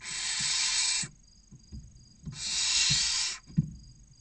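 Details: Six barn owl chicks, aged between 16 and 29 days, wait near the entrance of a nest box for food in Cabañeros National Park, Castilla-La Mancha, Spain. They give two harsh, broadband hissing snores, each about a second long, with soft knocks between.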